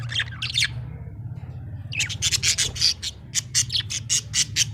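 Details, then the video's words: Budgerigar described as happy, giving rapid scratchy chirps and clicking chatter repeated in quick pulses over a steady low hum. "Happy budgie chirping sound"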